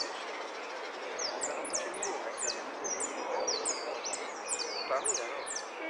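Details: Hooded siskin, yellow repique category, competing at a singing contest in Zona Norte on 17 November 2013: rapid series of thin, high, downslurred whistled notes and twitters from about one second on, over a steady murmur of people talking.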